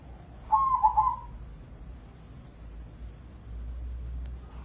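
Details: Zebra dove, an Indonesian crossbred contest bird kept in captivity, gives a single rolling, trilled coo phrase lasting under a second, followed by low rumbling background noise and faint distant chirps.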